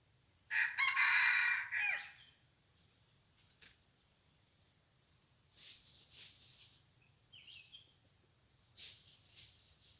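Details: Crowing of a decoy red junglefowl used to draw in wild junglefowl: a single rough, ragged crow lasting about a second and a half, then quiet with distant faint bird chirps, clicks and background insect hum.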